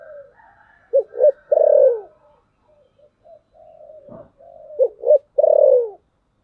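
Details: Decoy spotted dove singing in the 'thổ sấm' voice style, used to lure wild doves. Two short punchy coos and then a long, loud, falling coo, given twice. Softer, drawn-out cooing fills the gaps between phrases.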